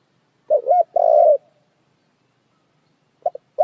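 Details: Spotted dove giving a brief coo pair followed by a longer buzzy coo, then the start of another phrase after a pause; otherwise quiet.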